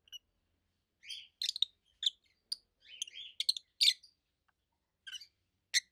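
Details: Pet rosy-faced lovebirds, two adults over a year old, utter scattered shrill chirps and sharp clicking squeaks with short pauses between groups of notes.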